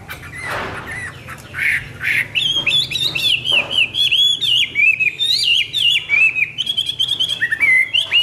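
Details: Hwamei singing in the morning: after a few harsh noisy bursts, a long run of loud, rapid, varied whistled phrases, sliding and warbling up and down, delivered almost without pause.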